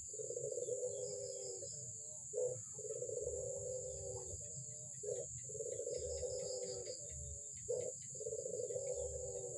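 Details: Albino Barbary dove calling actively: long rolling coos, each about two seconds, with short emphatic notes between them, repeated steadily through the clip over a low rumbling background and a steady high electronic whine.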